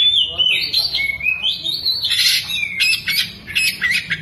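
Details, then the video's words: Oriental magpie-robin, tail spread, pouring out a continuous song of gliding whistles that rise and fall, broken by harsh buzzy trills and quick chatter copied from a lovebird. "BURUNG KACER BUKA EKOR SAMBIL NEMBAK" | ISIAN LOVEBIRD"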